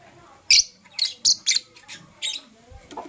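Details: Blue Opaline and Parblue Euwing Opaline lovebirds in the morning giving shrill, rasping chirps roughly every half second, loud at first, then softer and more scattered toward the end.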